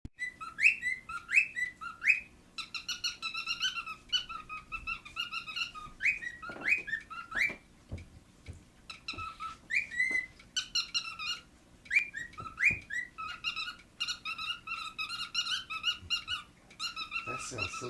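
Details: Cockatiel mimicking squeaky dog-toy noises and a wolf whistle, with bright squeaky notes and quick rising whistles.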